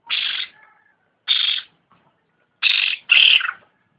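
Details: Cucak ranting singing vigorously: four harsh, raspy bursts of about half a second each, separated by pauses of roughly one to two seconds, the last burst ending in a brief descending slur.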